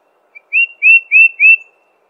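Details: Tufted titmouse giving one short burst of four clear, upslurred whistles in quick succession, after a tiny introductory note; clean, with no other sounds.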